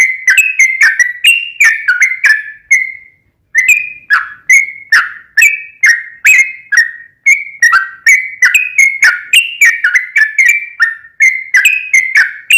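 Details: Active sooty-headed bulbul song for luring a caged bird into replying: a long, lively series of liquid whistled notes, some rising and some falling, delivered in quick runs with two short breaks.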